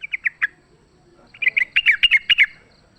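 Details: Wild sooty-headed bulbul fighting, a lure call: four quick chips, a short silence, then a lively burst of about ten bubbly, chattering notes.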